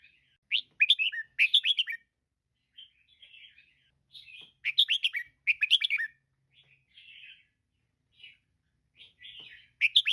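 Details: Repeated clusters of loud, slurred chirping notes from a female red-whiskered bulbul alternate with soft, buzzy murmurs, the bursts returning every few seconds; intended to get caged birds singing and active. Otherwise quiet.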